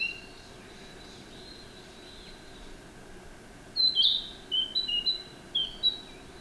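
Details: Narcissus flycatcher: faint, distant-sounding whistles at first, then a loud phrase opening with an upslurred note and continuing with several short, bright two-pitched whistles.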